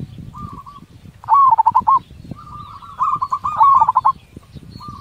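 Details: Big-voiced local zebra dove singing to provoke quick replies. Loud phrases of rapid, bouncing staccato coos alternate with softer drawn notes, over a background of low crackling noise.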